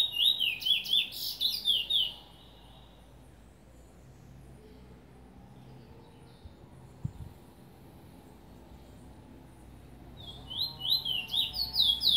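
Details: Trinidad lesser seed finch giving bursts of rapid, sharply slurred whistles. One burst opens the recording and another closes it, with about eight seconds of near silence between them.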